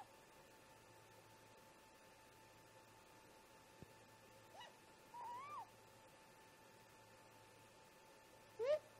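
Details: Pre-dawn great grey owl parents talking at a snag nest: soft distant wail and whoop in mid-recording, then a loud close rising whoop at the end, with a single click and a steady hum.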